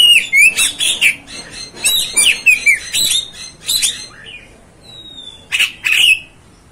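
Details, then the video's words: Kacer (Oriental magpie-robin) song used to provoke kept birds: warbled, slurred notes in quick succession, softer scratchy calls, a thin level whistle, then a final loud burst. "MEMANCING | MEMBAKAR EMOSI KACER ANDA"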